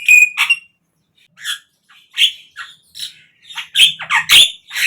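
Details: Javan myna sound used as a lure for captive birds: an opening whistle, then spaced harsh squawks and chirps that cluster near the end.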